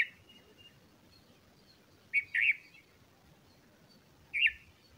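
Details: Bulbul feeding chicks; after two quiet seconds a clustered trio of squeaky chirps, then one more chirp near the end.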